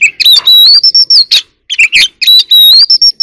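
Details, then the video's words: Oriental magpie-robin singing competitively as an ornamental bird: long pure whistled notes rising and held, interrupted by harsh rasping bursts, repeated in two similar phrases. "Chòe than hót múa quá đỉnh | chòe than hót đấu"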